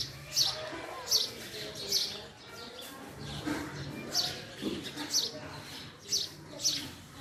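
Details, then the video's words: Male house sparrow chirping loudly: sharp, high single notes spaced well apart, pausing midway, then resuming at a steady pace against faint background noise. "Call Of Male House Sparrow"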